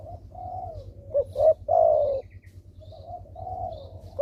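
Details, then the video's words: Spotted dove, a lure recording meant to make quiet doves start calling: low hollow cooing notes, a short double coo followed by a long drawn-out falling coo, then softer coos, with a faint low hum beneath. "derkuku malas bunyi langsung merespon dengan pancingan ini"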